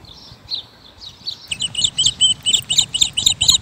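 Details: A bird chirps in a fast, even series of bright, high notes, about eight in the final two seconds, after a few softer, lower, warbled notes at the start.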